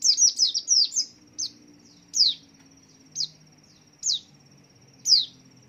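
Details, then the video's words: White-eye bobbing as it sings, a lure to get other white-eyes calling: a rapid opening burst of sharp descending chirps, then single high chirps spaced about a second apart, with a thin steady whine behind. "Bergoyang !! Sambil Bunyi !! Cocok Memikat Pleci lain Ikut Bunyi"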